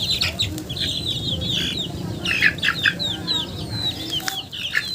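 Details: Mixed high peeps from chickens, falling whistled notes amid scratchy rustling and clicking, over a steady low background noise.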